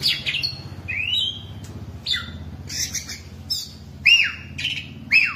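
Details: Ten-year caged Oriental magpie-robin sings rising and falling whistled slurs mixed with harsh scratchy notes, phrases coming roughly once a second, against a quiet low background hum.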